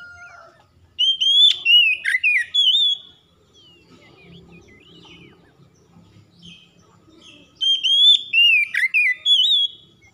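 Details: Oriental magpie-robin singing in the lively 'gacor' style: two bursts of rich whistled, warbling phrases with sharp rising and falling slurs, separated by several seconds of quiet with faint low background rumble.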